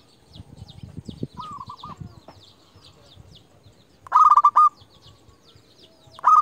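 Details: Local zebra dove used to call rivals: a soft distant coo phrase over low rumbling noise, then a loud burst of fast repeated coo notes and the start of another near the end.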